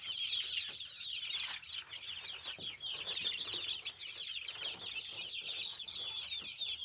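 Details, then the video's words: Native village chickens, ayam kampung and joper type, heard as a dense, continuous chorus of many overlapping high, thin peeps and chirps, with no pauses, filling the whole stretch. "Ayam kampung asli"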